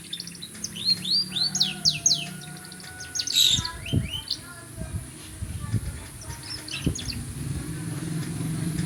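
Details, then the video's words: Canary song with fast, high chattering trills and sweeps in the first half, then fainter scattered notes over low background rumble and a few soft thumps. "burung kenari paud"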